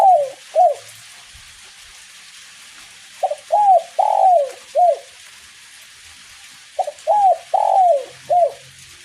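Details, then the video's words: Spotted dove of the kuk 1 song style singing eagerly in light rain: three cooing phrases, each a quick lead-in note, two drawn-out falling coos and a closing short coo, repeated about every three and a half seconds. "DERKUKU KUK 1 NGACOR DI IRINGI RINTIKAN HUJAN GERIMIS"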